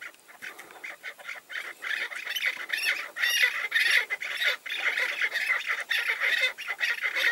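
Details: Harsh, chattering chuk-chuk calls from a tethered chukar decoy and incoming wild male partridges. The calling starts softer, then builds into a loud, continuous overlapping chorus.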